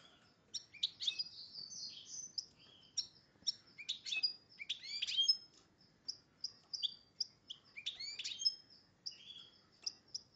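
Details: Caged goldfinch x red agate canary hybrid in breeding condition: a lively run of high, bright chirps and short twittering notes, some rising, others falling, delivered in irregular bursts with brief pauses throughout.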